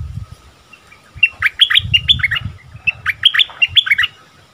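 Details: Bulbul in the 'double' song style, recorded 24 February 2021. Two similar phrases of sweet whistled notes are separated by a short pause, and each note sharply drops and bends. Low rumbling noise sits underneath.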